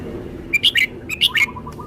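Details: Red-whiskered bulbul displaying its song repertoire: two rapid, chirpy phrases of three sharp notes each, bright and slightly slurred, followed by a short run of softer, lower piping notes.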